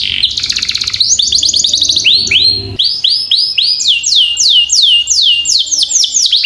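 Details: Canary singing for training other birds: opening fast buzzy trill, then a long series of evenly spaced falling whistles, about three a second, bright and clear.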